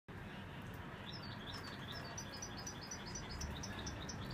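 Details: European goldfinch carrying the brown mutation, recorded in 2016, giving a quick series of thin, high twittering notes, several per second, over a steady low rumble of background noise.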